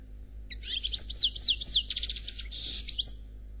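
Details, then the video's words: A European goldfinch said to be black sings a flawless song in the Khalwi style. High metallic twitters and fast slurred phrases build into a rapid trill, then a harsh buzz, ending on a thin drawn-out note. The setting is quiet. "Chardonneret Noir Khalwi Chant sans fautes"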